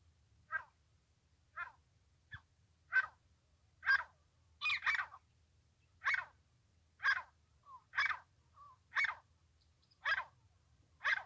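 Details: Teetar, a francolin, calling in a trapping setting: a long series of short, coarse notes repeated roughly once a second, some doubled, over a faint low hum.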